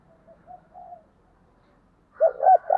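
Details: Early-morning spotted dove luring wild birds: a few faint soft coos, a pause, then loud close throaty coo notes at the end.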